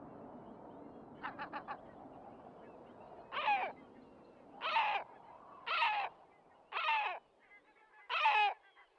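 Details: Great black-backed gull at Raghly Harbour in County Sligo. A quick, faint stutter of short notes comes first, then five gruff, drawn-out barking calls, each about half a second, spaced over a second apart.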